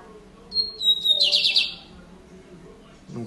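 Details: Papa-capim (lined seedeater) kept in captivity, singing the bigodinho-style song: a thin level whistle sliding into a fast, pulsing, buzzy trill lasting about a second, then a low murmur of background noise and a knock at the end.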